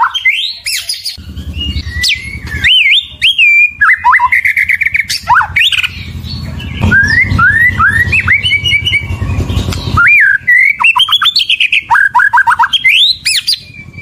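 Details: Long bout of white-rumped shama (murai batu) song aimed at provoking rivals: sharp high sweeps, rolling whistled phrases and fast repeated notes, with a steady low rumbling hum in the background.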